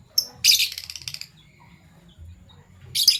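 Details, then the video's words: Morning chirping of Fischer's lovebirds in violet and gold opaline colours: a short high note, then a long, buzzy, scratchy chatter, a quiet gap, and another harsh burst at the end. "Lovebird Chirping Sounds"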